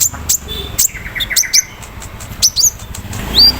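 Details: Short burst of song from a captive sunbird misted in the morning: high sharp chips and a low buzzy rattle, with a thin upward-slurred whistle at the end, over a faint low background hum.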